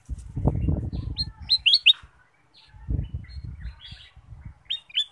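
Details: Song of a ruby-throated bulbul used to coax other birds into singing: bright downslurred whistles in small clusters, a faint chatter mid-clip, and a closing pair of notes, with intermittent low rumbling noise.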